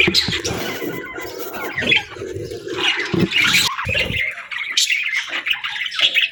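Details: Budgerigars calling in the afternoon with uneven bursts of squeaky chirps and chatter, broken by a short pause just before four seconds.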